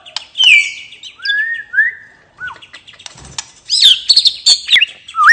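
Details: Relaxed ngeplong song by a white-rumped shama, a lure for birds that have gone quiet: clear falling and rising whistles, a short pause, then a burst of intricate high slurred notes and a closing upswept whistle.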